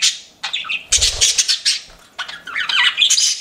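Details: Pet budgerigars squawking and chirping in quick, harsh bursts, with a soft low flutter near the start, the chatter rising again toward the end.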